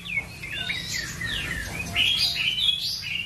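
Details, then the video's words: Ashy tailorbird, locally called prenjak coki or cinenen merah, singing in lively gacor style: a continuous run of high, sweeping whistles and chirps that slide up and down and overlap for over three seconds, over a faint low hum. "BURUNG PRENJAK COKI GACOR/CINENEN MERAH"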